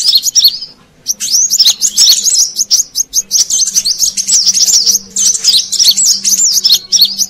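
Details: Lure call of a brown-throated sunbird, used to attract wild birds: a short opening twitter, a brief pause, then a sustained stream of rapid high, zigzagging squeaky notes, over a low hum.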